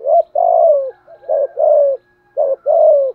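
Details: Spotted dove used as a decoy, giving a steady cooing call: three paired phrases, each a short coo followed by a longer warbling coo, about one phrase per second, with nothing else audible.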